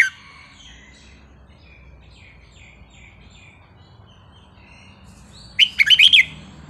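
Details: Red-whiskered bulbul giving a wild-style song: soft distant chirps at first, then a loud, quick burst of five or six warbling, whistled notes near the end.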